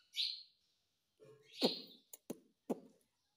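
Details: A talking parrot gives a shrill whistled note, then a garbled, voice-like phrase resembling "Mummy" and a few sharp clicks.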